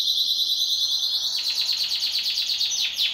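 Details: Pet canary singing in duet at home: a sustained high buzzy trill gives way to a rapid series of repeated descending chirps, fast and rhythmic, filling the whole stretch.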